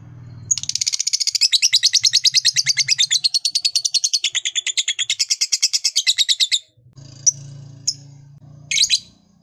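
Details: Lovebird in a long ngekek trill, meant to stir other lovebirds into singing: a rapid, harsh, chattering series of high notes runs unbroken for about six seconds, then three short sharp chirps follow over a low steady hum.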